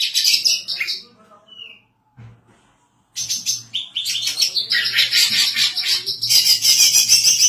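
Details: Female greater green leafbird in full song, a bird used for tutoring others and for luring: bright high warbled phrases, a second of near silence with one thin whistle, then a long unbroken stream of rapid twittering and mimicked notes.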